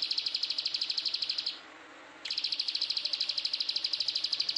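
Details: Plain prinia from Indonesia in a dense 'tembakan rapat' rapid-fire song: high, sharp ticking notes repeated very fast in a long steady series, broken once by a short pause of under a second before resuming unchanged.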